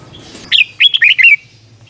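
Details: Red-whiskered bulbul singing a doubled 'beun' style song, '100 Archeep' tune, played to teach young birds: one quick phrase of five bright, bubbly whistled notes rising and falling, over faint background hum.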